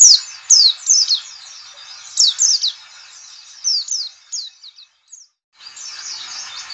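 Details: Lure chorus for white-eyes: quick, high downslurred chirps tumbling in irregular bursts, a brief silent break, then the thin twittering resumes.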